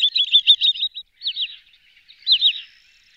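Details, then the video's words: Wood sandpiper calling: a rapid stuttering string of high whistled notes, then two short bursts of paired, slightly lower downslurred whistles separated by brief pauses. "Tringa glareola"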